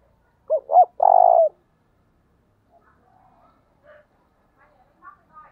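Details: Spotted dove cooing to lure wild doves, 'thúc' style: a loud phrase of two brief hooting notes plus a drawn-out throaty coo, then scattered faint distant calls.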